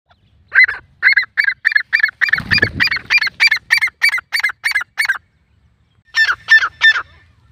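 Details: Grey francolin, called dakhni teetar: a loud, ringing series of repeated harsh notes at about three per second, running for around five seconds, then a short pause and three more notes; a low thump sounds midway.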